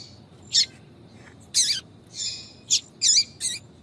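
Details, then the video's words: Female yellow-bellied seedeater (papa-capim) giving its 'tui tui' call to stir up and attract males. Six short, sharp, high chirps with buzzy overtones, spaced irregularly about half a second apart over quiet background hiss. "Piado de fêmea de papa capim para Foguear Papa capim tui tui Melhor Piado de fêmea de papa capim"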